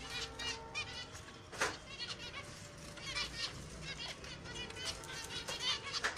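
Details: Pet finches in an aviary giving a busy chorus of short chirps and twittering notes, many birds calling over each other, with a few sharper louder calls standing out.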